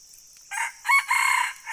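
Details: Red junglefowl crow, cut short: a hoarse opening note, a brief gap, then a strong, drawn-out harsh phrase. A constant shrill insect chorus sounds underneath.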